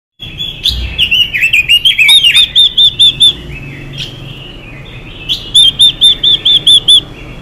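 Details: Female Chinese hwamei in the "xùy" style, singing to rouse males: sliding whistled phrases, then runs of clear, looped upslurred whistles repeated about twice a second, with two separate bursts of rapid notes.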